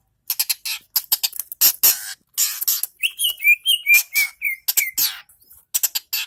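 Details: Long-tailed shrike from Indonesia: bursts of hissy, scratchy notes, then a run of short whistled slurs near three to five seconds, ending in scattered sharp ticks.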